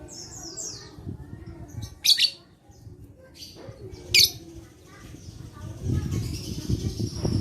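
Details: Lovebird recorded 11/4/21 for therapy of a lazy lovebird, to provoke song: two shrill, buzzy shrieks two seconds apart among scattered faint chirps, with low rumbling noise toward the end.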